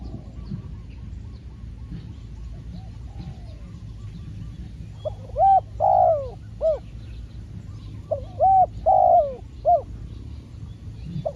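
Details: Spotted dove cooing while a trained decoy bird is used to trap wild doves. After about five seconds of quiet low background hum, short mellow hooting coos arrive in three close bursts, each a quick rising-falling note pair.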